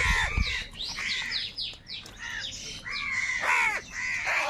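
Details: Several crows gathered and fighting for food, calling in anger; harsh hoarse caws overlapping, a run of rapid calls followed by three strong drawn-out caws near the end.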